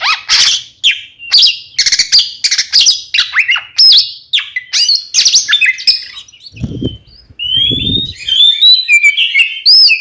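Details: Lure song of twin Oriental magpie-robins for provoking rival birds: a rapid string of harsh chattering notes and slurred whistles, then from about seven seconds a sweeter run of level and wavering whistles, with a couple of dull low thumps.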